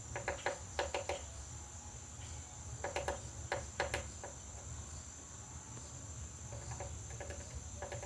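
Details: Woodpecker pecking at a butterfly house: quick bursts of sharp, hollow wooden knocks, three or four taps per cluster, separated by pauses of a second or two, over a steady high-pitched whine.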